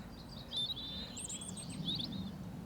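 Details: A European robin sings a brief run of high, thin, wavering whistles and quick trills in spring on a tree-arched track at the Longshaw Estate, at a poor time of day for birdsong, over a low background rumble.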